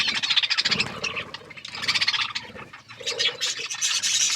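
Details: Budgies chirping while eating and playing, a dense chatter of warbled, scratchy notes and squeaks running without pause.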